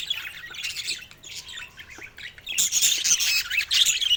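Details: A budgerigar chick's very first cries. Scratchy, buzzy squeaks sound in two loud spells with a quieter pause between them, and the calls grow denser and harsher toward the end.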